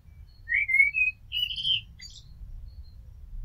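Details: Common blackbird singing: a rising fluted whistle sliding into a level note, a second whistled phrase, then a brief high twitter, with a low steady background rumble.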